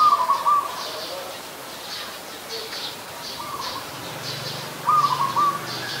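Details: Adult zebra dove in Ubon Ratchathani, Thailand, 28 December 2020, with a trilled coo at the start, a softer one midway and another near the end, among high bird chirps and a low hum.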